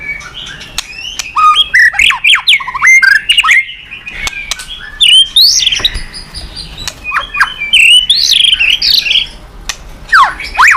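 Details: Varied, loud song of a White-rumped shama, played to provoke other birds into singing: fast sequences of slurred whistles, sharp clicks and swooping notes, constantly changing pattern with short pauses.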